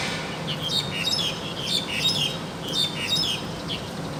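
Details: Lively song of a wild crested myna: quick, rhythmic bursts of sharp whistles and chirps, repeated about once a second, loud over faint background hiss.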